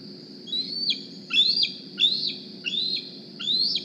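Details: Squeeing bald eagle fledgling, hatched in April 2020 at Decorah, back at the nest in the morning asking for food; five piercing rising whistles, each snapping down at the end, with a faint constant high tone behind.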